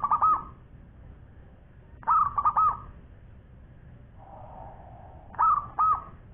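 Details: A local Zebra dove gives soft, rolling cooed phrases of two or three quick notes, repeated about every two to three seconds, with a faint low hum between phrases.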